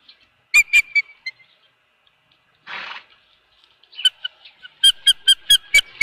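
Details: Osprey at its nest with a fish, Dunrovin Ranch, 24 April 2018 at 4:19 PM. Sharp, high chirps come in a short series, then a brief burst of rustling noise, then a rapid run of about seven loud, evenly spaced chirps.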